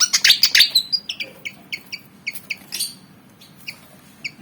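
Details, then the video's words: Javan fantail eager to fight, a black and white bird about 19 cm long: starts with an intense burst of shrill chattering, then evenly spaced twin-toned chirps that slow and fade. "Burung Kipasan Jawa Ngotot Liat Pengen Tarung"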